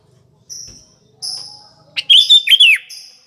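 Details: Sooty-headed bulbul, singing actively, used as a lure at morning, afternoon and night: thin high tones first, then a rich, rolling phrase of liquid notes that rises and drops in a quick flourish.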